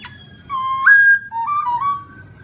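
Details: Black-throated laughingthrush singing: a clear whistled phrase that holds steady, jumps upward to a brighter peak, then drops into lower slurred notes that wander and slide, with a faint low hum beneath.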